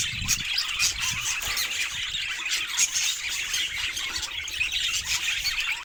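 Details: Pet budgerigar chattering in harsh squawks and sharp squeaks strung closely together, steady and busy for several seconds, ending abruptly.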